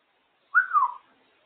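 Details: Female African grey parrot, a pet out of her cage and described as very talkative, gives one short whistled note that slides downward over about half a second, then quiet.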